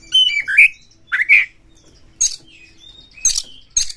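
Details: Kacer or white-rumped shama lure song for provoking other birds: a few slurred whistled phrases, then harsh rasping bursts and a thin drawn-out whistle.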